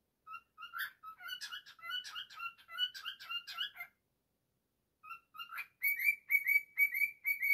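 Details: Pet cockatiel, a male, rendering "If You're Happy and You Know It" in his own way: loud, chattery whistled notes with buzzy high edges, a pause, then a bright, steady string of repeated high whistles.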